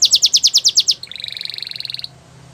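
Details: Canary training song with eight loud, evenly repeated high notes, then a fast, softer buzzy trill lasting about a second.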